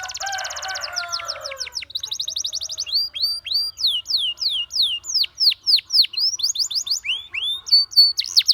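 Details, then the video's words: Canary voicing a song to coax companions to sing: a fast opening trill over some lower rough sound, then a long series of loud downward-sweeping whistled notes, about four per second. "Canary Seducing Friends to Sing!"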